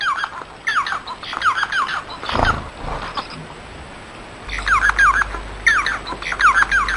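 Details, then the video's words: A Bengalese finch sings repeated phrases of fast, falling, buzzy notes. A brief rustling thump interrupts midway, then the chattering song resumes over a low hum. "صوت طائر الموانو البنغالي"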